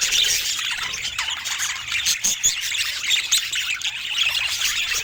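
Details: Lively chirping and tweeting from rare budgerigars in natural Scandinavian light: quick high twitters, scratchy warbles and a few louder squawks overlapping from several birds, steady throughout without music or voices.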